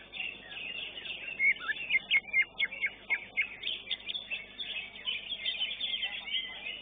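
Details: Greater green leafbird (cucak ijo) in a bird-song competition, Maestro class, delivering rapid sharp chips and whistled notes in a fast irregular series over faint background murmur.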